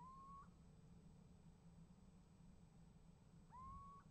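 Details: Little owl at a nest box, late January 2015, giving two plaintive rising whistled calls about three and a half seconds apart, the second cut short, over a low steady hum.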